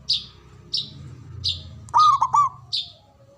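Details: Local Javanese zebra dove, noted for a loud, deep voice and long breath: one bubbling cooing phrase of three linked looping notes. Repeated sharp high chirps from another bird and a low background hum surround it.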